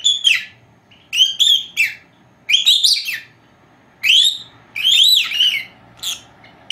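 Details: Two four-month-old female lovebirds resting at home; whistled, bending calls and squeaky chirps in groups, with short quiet gaps between bursts.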